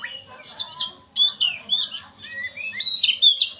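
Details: Singing Oriental magpie-robin, played to get a silent bird singing: a fast stream of clear whistled slides and warbles, growing louder and harsher near the end, with faint low background noise.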